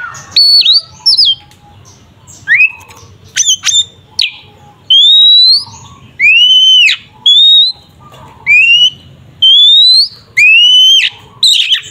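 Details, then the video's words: Oriental magpie-robin fighting song meant to make a rival emotional: scattered sharp chips, then a series of clear loud upward-sliding whistles, each under a second, spaced regularly with brief pauses. "Suara burung Kacer TARUNG NGEPLONG sangat efektif untuk pancingan Kacer agar emosi"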